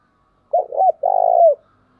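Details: Cooing decoy spotted dove used for training decoys and drawing in wild birds: two brief mellow hoots run straight into a long, vibrating, falling coo. Faint room hum follows.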